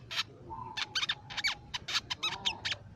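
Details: Crimson sunbird, a nectar-feeding bird of shrubs, plantations and forest, singing as a songbird lure: clusters of sharp high metallic chips with a soft sliding whistle threading between them.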